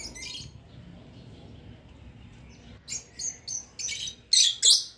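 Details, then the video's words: Two pet lovebirds giving gentle, relaxing chirps: near silence for about three seconds, then a burst of short, high, scratchy chirps, louder toward the end, a few in quick succession. "Lovebird sounds"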